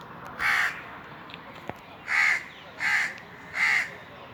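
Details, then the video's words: Four loud, hoarse caws from Indian crows perched atop a tree in the summer heat, each caw separated by pauses of about half a second to a second against a quiet backdrop. "Indian Crows cawing"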